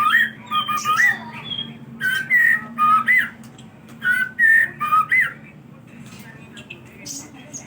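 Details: White-rumped shama singing as a lure for other birds: short rich whistled phrases, some rising and some dropping, in groups with quiet gaps, then fading toward the end.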